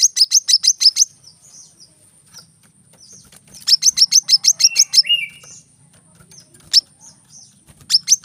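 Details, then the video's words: High, rapid chip bursts of a brown-throated sunbird in 'tembakan rapat' style, separated by quiet gaps with soft twitters and a short lower whistle. "kolibri kelapa | manggar | wiceh | masteran temabakan rapat"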